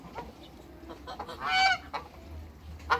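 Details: A couple of African geese in a backyard among other waterbirds; one loud, drawn-out, harsh honk with rich harmonics dominates, framed by shorter calls and a low steady hum.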